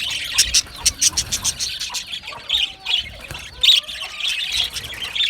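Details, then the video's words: Budgies chirping and squawking, loud sharp chirps standing out in clusters early and again near four seconds, above a continuous murmur of high chatter from other birds. "Australian Budgie parrot chirping sounds | beautiful Budgie birds sounds"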